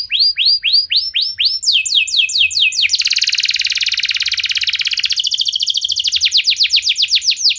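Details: Canary song played so other canaries will sing: rows of repeated arched whistles, a long dense rolling trill, then faster descending sweeps at a steady clip.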